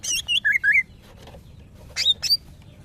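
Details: Caged female greater green leafbird in breeding condition calling to males: a quick run of three rising slurred chirps, a pause, then two sharp higher whistled notes.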